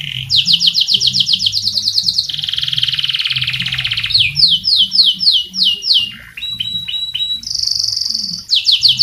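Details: Canary in full song, used as tutor song for other birds: fast repeated down-slurred trills, a buzzy rolling section, then varied whistled notes and a sustained high tone between rapid trills.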